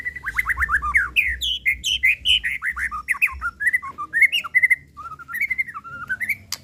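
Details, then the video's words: White-rumped shama of the 'pastol' kind delivers a long lure song meant to trigger emotion and full repertoire: fast strings of down-slurred whistles, rolling looped phrases and varied chattering notes, with no repeats. "Pancingan Murai Pastol Emosi & Bongkar Isian"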